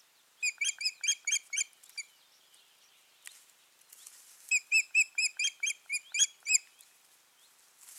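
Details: Ospreys, a pair at their nest, 14 June 2019: two bursts of rapid, high piping whistles repeated about twice a second, separated by a short quiet gap with faint rustling.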